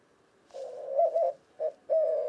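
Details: Cooing white-winged dove, western North America: soft lead-in, two emphatic low hoots, a pause, a short note and a long hoarse closing coo in a quiet setting.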